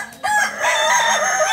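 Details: Balenggek rooster in the landiak class of a crowing contest held on a Sunday at Ampang Kualo, Solok city; a single bright harmonic crow with a wavering, undulating line held after a sharp onset.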